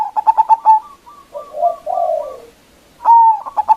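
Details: Local zebra dove in full voice, a loud-voiced lure call for calling and provoking rivals: a quick run of bright staccato notes, then softer, lower rolling coos, and another sharp burst of clipped notes near the end.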